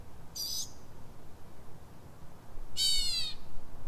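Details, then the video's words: Northern mockingbird in Silver Spring, Maryland, USA, singing at 03:44 in pre-dawn hours: a brief high squeak, a silent gap, then a harsh buzzy note with many stacked tones. "Northern mockingbird (Mimus polyglottos) — night singing"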